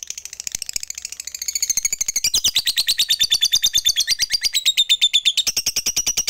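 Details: Lovebird of the fighter type giving a long ngekek chatter, used as a lure to call rivals and rouse silent birds into singing; quieter uneven chirps at first, then from about two seconds a loud, fast, steady stream of high buzzy notes.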